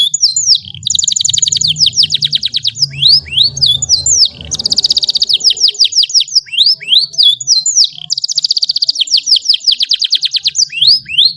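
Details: Canary delivering a long song used as a tutor for young birds: repeated cycles of quick upswept whistles followed by fast, even, high trills, steady and continuous across eleven seconds.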